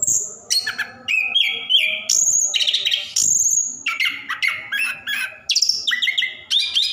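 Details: Orange-headed thrush, caged, singing a continuous 'ngerol' song played to encourage reluctant birds; high thin whistles, mimicked-sounding chatters and buzzy bursts tumble rapidly, with a faint low hum behind.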